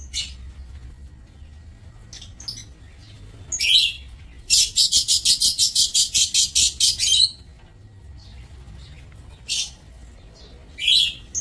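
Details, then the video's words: Lovebirds kept in an aviary, recorded 27 March 2024: scattered shrill, harsh chirps, then a rapid run of about a dozen sharp, even squeaks over three seconds, followed by a few more isolated screechy notes; low steady hum underneath. "Aviary Lovebirds"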